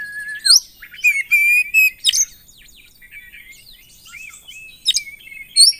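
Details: Kacer, the Oriental magpie-robin, in continuous gacor song: a falling whistle, a trio of steady whistled notes, then a jumble of quick chirps, trills and rising squeaks.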